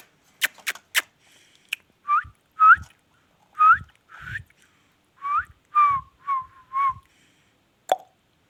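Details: Ringneck parrot producing a string of clear whistled syllables, rising and falling slides spaced roughly a second apart, after a few sharp clicks at the start and a single click near the end.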